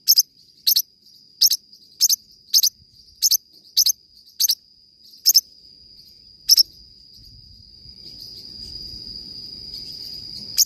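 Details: Forpus parrotlet singing: a run of about ten sharp double chirps in the first seven seconds, then a pause as low rumbling noise builds, and one final chirp at the end.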